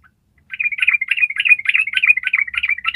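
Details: Yellow-vented bulbul in a long, fast, continuous run of bubbly, chattering notes, mid-high pitched, about three or four per second, with no other sounds; a master recording used to train other birds.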